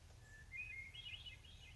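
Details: Brown thrasher singing nearby, possibly right overhead, in a quick run of short, varied whistled phrases rising and falling in pitch, faint over a low steady rumble.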